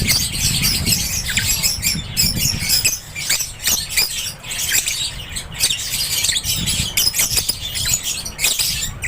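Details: Aviary lovebirds chattering steadily: many sharp, high-pitched chirps and scratchy squeaks pile together in a busy, unbroken chorus, with some soft low rumble underneath.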